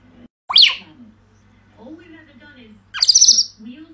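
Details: Onion, a three-year-old female talking parrot in Edinburgh, gives two harsh, high, squawky vocal bursts about two and a half seconds apart, with a faint low human voice murmuring in between.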